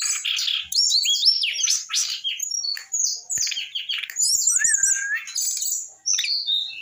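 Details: Eight-month-old brown-chested jungle flycatcher already singing in the rock n roll style: a fast, unbroken run of high buzzy notes, sharp chirps and quick warbled trills, with a lower clear whistled slur near the end.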